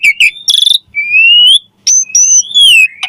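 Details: Javan pied starling in energetic full song, used for training songbirds: clear whistles sliding slowly upward, short high piping notes and harsh buzzy bursts, with gaps of silence between phrases.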